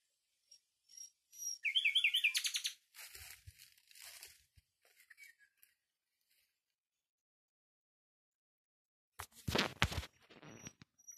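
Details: Common nightingale gives a high thin whistle, then a loud, fast, rolling trill of repeated notes; broadband rustling and knocking noises follow, with a burst of fluttering noise near the end.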